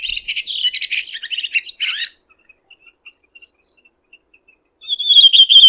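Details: Singing red-throated thrush in nature: a dense, jumbled twittering of quick varied notes for two seconds, then faint scattered ticks, then a clear, slightly descending whistled phrase with rapid pulses.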